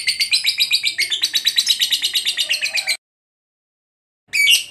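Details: Lovebird chirping for pet-bird training: a rapid string of sharp, high chirps, about eight a second, runs for three seconds before breaking into silence, then a brief loud burst of calling resumes.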